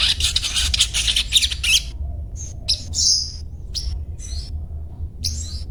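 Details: Sunbird gives a fast, dense run of high chirps, then after a pause several separate clipped 'cuet' notes spaced irregularly, with low background hum.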